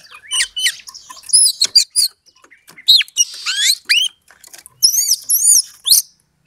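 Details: Lure song of an Oriental magpie-robin used to stir a rival into fighting: varied sweeping whistles rising and falling, crisp chirps in quick clusters, and a scratchy rattling stretch mid-phrase.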